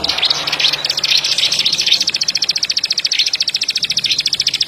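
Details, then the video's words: Plain prinia producing a continuous rattle of sharp, high clicks, blurred and buzzy at first, then clean and evenly spaced, about seven per second. "Kicau ciblek padi / ciblek sawah ak 47"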